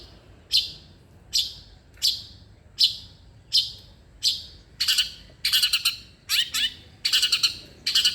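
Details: Long-tailed shrike song, played to prompt a lazy shrike to sing: harsh, rasping high notes repeated about every three-quarters of a second, then thickening into denser scratchy bursts and doubled notes toward the end.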